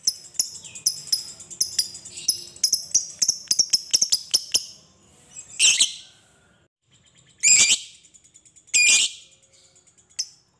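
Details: Lovebird chatter used to lure lovebirds into singing: bursts of sharp high chirps for about five seconds, followed by three harsh buzzy squawks and a final thin chirp.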